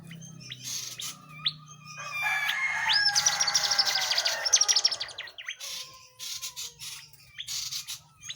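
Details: Tledekan jati flowerpecker singing vigorously, recorded as tutor song for murai batu, kacer and other songbirds: high thin chirps, then a fast buzzy rattling trill in the middle, then scattered sharp notes over a low steady hum.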